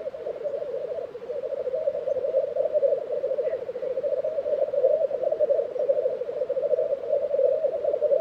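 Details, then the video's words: Continuous low rolling bubbling from black grouse lekking in Tiveden, Sweden, in April 2023, an even chorus with little else audible. "Black Grouse Lek - sound recording"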